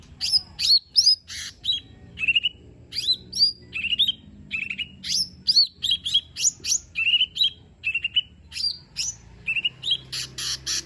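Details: Energetic lesser green leafbird song meant as a lure to prompt a lazy bird to sing: a rapid, continuous string of sharp whistles, slurred chirps and harsh buzzy notes, ending in loud rasping bursts.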